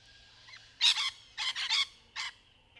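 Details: Rainbow lorikeet in trees during courtship: a burst of harsh, grating screeches, one doubled, then a rapid run of three, then a single shorter one, with a faint rising whistle before them.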